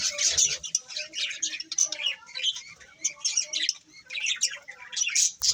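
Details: Several colourful budgies keep up a steady, busy warble of high, buzzy chirps and squeaky notes that rise and fall in short bursts, with no pause through the whole stretch.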